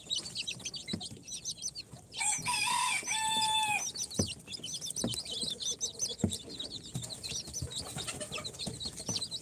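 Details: Four-day-old incubator chicks of Sultan, Golden Sebright, Cochin and booted breeds keep up a shrill, overlapping chorus of rapid high peeps, interrupted briefly near the start by a louder harmonic, crowing-like call.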